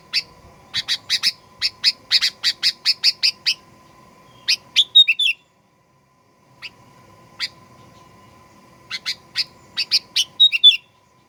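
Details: Sooty-headed bulbul song played to provoke aggressive singing: rapid runs of bright high chirps, each run ending in a short whistled twist, separated by a gap of silence; a faint constant hum in the background.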